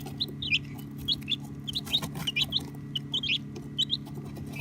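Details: Baby chicks chirping in short high twittering notes, often doubled, spaced irregularly with some faint clicks, recorded with an iPhone XR over a low steady hum.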